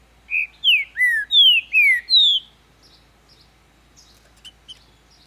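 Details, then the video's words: Green-winged saltator, a captive-raised bird in Ribeirão das Neves, Minas Gerais, Brazil, singing: six loud, clear whistled notes, each slurred downward, delivered rapidly over two seconds, followed by faint soft chips. "Trinca-ferro cantando muito quente! Abrindo canto!"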